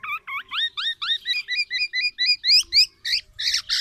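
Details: Black-naped oriole, tame and in full voice, gives a loud, distinctive string of rapid upward-flicked whistled notes, repeated about four times a second without pause, growing harsher toward the end.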